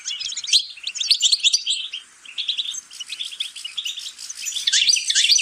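European goldfinch singing a rapid, tinkling twitter of high, liquid notes and buzzy trills, running almost without pause, with no other sounds.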